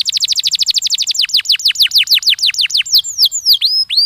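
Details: Canary song used to prompt young canaries into singing: a fast run of falling whistled notes that gradually slows into broader, deeper-swooping sweeps, finishing with a few separate curved chirps.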